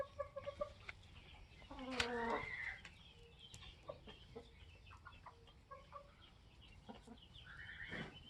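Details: Polish layer hens, 21 weeks old, kept with a protective rooster: a few short clucks, then a loud rising-and-falling squawk with layered harmonics, later a second upward-sweeping call, over steady background hum.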